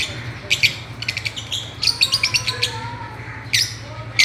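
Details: Several Fischer's lovebirds playing on a swing chatter in a busy series of sharp, high chirps, fast and irregular, with louder bursts near the start and end.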